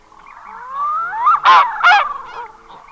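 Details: Single red-breasted goose at close range: a loud, shrill double honk follows a long rising whistled glide, with softer squeaks trailing after.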